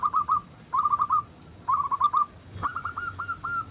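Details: Zebra doves, local and Bangkok types, sing in a lure recording meant to get other doves singing: three bursts of quick, rolling, whistled cooing notes, then a louder overlapping phrase from another bird near the end.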